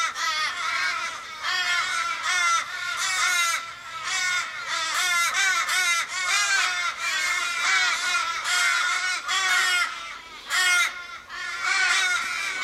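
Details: In a Sydney suburban street, Kellyville, 1 July 2012, a flock of 15+ Australian ravens circles a downed, dying companion, possibly car-struck; loud, drawn-out, nasal caws overlap densely, rising and falling in bursts with brief gaps.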